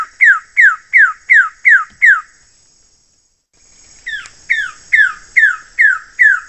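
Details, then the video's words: Wilson's bird-of-paradise gives a rapid series of slurred, downward notes, about three per second, pausing and resuming, over a steady high insect-like hum. "SUARA CENDRAWASIH KEPALA BOTAK"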